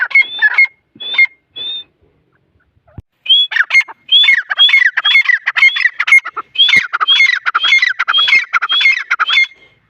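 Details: Scattered whistled squawks from grey francolin chicks at Taunsa, a short silence, then a busy, fast repeated series of harsh calls with thin rising whistles.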